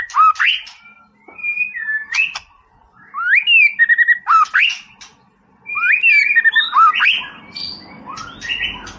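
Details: White-rumped shama in a lively singing state, a master recording of the style called Boomerang meant to rouse a rival's temper. Rich whistled phrases sweep up and down between clear and buzzy notes, delivered in bursts separated by short pauses.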